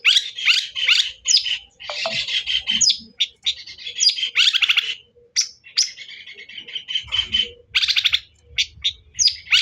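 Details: Long-tailed shrike song played to provoke a rival: rapid varied phrases of harsh chatter, sharp squeaks and scratchy warbling, broken by short pauses, loud and busy throughout, with a brief low rumble near the end.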